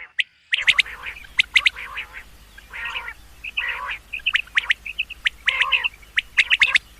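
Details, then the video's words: Common quail calling on a summer meadow in the morning: sharp, clipped notes in quick groups of two or three, with softer rough bursts between them. A low steady hum runs underneath after a brief silent start. "Common Quail. Bird sounds from summer meadow |suba batair ki awaz 2023 | morning batair 2023"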